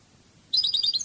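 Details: Short burst of fast, high twittering notes from a European goldfinch, Cadiz song style, beginning after a silent moment.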